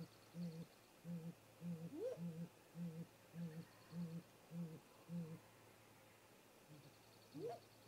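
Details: Great grey owl pair at the nest snag, the male arriving first and the female landing at the top, at 18:58 MDT; a long run of low, muffled hoots, two brief rising whistles, then a short pause.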